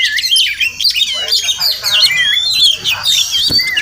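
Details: Wild Oriental magpie-robin, the village Murai Kampung seen at a home each morning: clear melodious whistled slurs rising and dipping, interspersed with scratchy chirps, in a short lively phrase.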